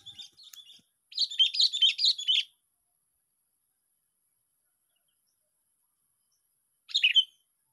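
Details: Sooty-headed bulbul at a park during day six of bird luring. Short jumbled phrases of bright chirping notes, one longer run of about a second and a half, then a long pause and a brief final phrase.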